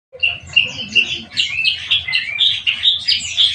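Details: Black-winged myna, known as jalak kebo, being cared for by its keeper; a dense run of loud chattering, squeaky and whistled notes, shifting and overlapping without pause.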